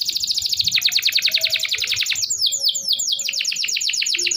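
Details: Canary song for stimulating canaries that quit singing: long fast trill of rapidly repeated high notes, a change to slower downslurred notes, then another rolling trill.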